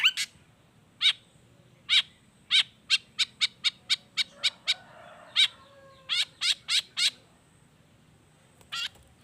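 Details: Long-tailed shrike in vigorous mimicking song: crisp, very brief high clicks in irregular sequences, some quick runs of four or five, separated by short silences.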